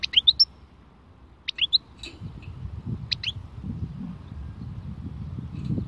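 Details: Khalwi-style song of a European goldfinch: three quick bursts of high tinkling rising notes, each a tight run of three or four chirps, then a low rumbling background hum.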